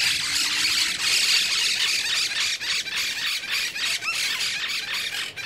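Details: Hungry monk parakeets in Alta Gracia, Córdoba, Argentina, quarrelling over apricot tree buds on a winter day, 31 July 2021. Steady flock of shrill, grating squeals and chattering notes running without pause.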